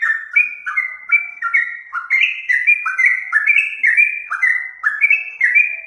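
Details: Steady run of liquid whistled phrases from a bulbul, each a brief downward slur joined to a sustained higher note, repeated rhythmically about twice a second.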